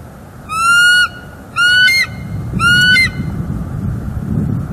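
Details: At their Northeast Florida nest on December 18, 2023, a wild bald eagle pair is picked up by a live cam. Three clear, high, harmonic call notes sound about once a second, each briefly held, followed by low rumbling noise.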